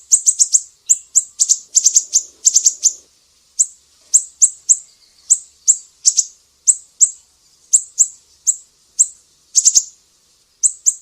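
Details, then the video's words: Piercing besetan of a Sumatran mangrove whistler, recorded as a master for teaching songbirds: long run of high, sharp downslurred notes, clustered rapidly at the start, then evenly spaced about two per second. "SIRI SIRI SUMATRA, BESETAN PEDIH"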